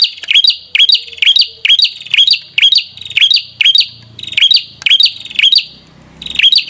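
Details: Prinia singing a steady run of sharp, bright chirps about twice per second, each note sliding upward, with faint low rumbling underneath.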